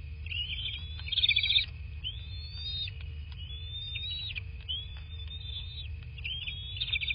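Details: Bald eagle at its southwest Florida nest, recorded by a nest camera near midnight on 13 March 2024; a chattered burst, then a series of high upslurred whistles about once a second, over a steady tone and rumble.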